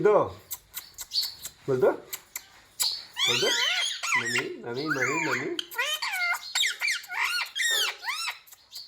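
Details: Ringneck parrot talking, mimicking "mummy" and "papa": a dense run of bent, wavering harmonic syllables, some deep and buzzy, others high and looping, delivered rapidly with short gaps, in a small room.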